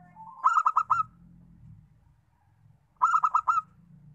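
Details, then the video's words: Local-strain zebra dove singing two phrases about two and a half seconds apart. Each opens with a short rising note, then four or five quick vibrant rolling coos, over a steady low rumble. "PERKUTUT LOKAL, BUAT MEMANCUNG BUNYI"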